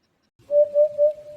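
A hoopoe gives three soft, hollow, low notes in quick even succession, oop-oop-oop, with little else audible.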